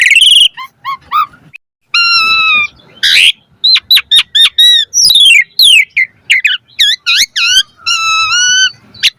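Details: Varied song of an Asian pied starling, a lure recording meant to make caged starlings sing: clear rising and falling whistles, sharp clipped notes, rasping bursts, and long ringing multi-toned whistles in quick succession with short pauses.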